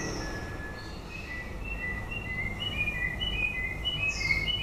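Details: A white-rumped shama near the end of its breeding season gives a run of short clear whistled notes that step up and down in a quickening series. Faint low hum in the background.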